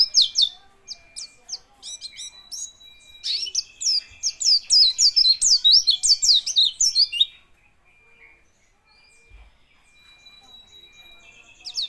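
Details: Quivering white-eye delivering a rapid, high-pitched twittering song of sweeping downslurred notes that builds in intensity, then stops abruptly, leaving near silence for the final four seconds.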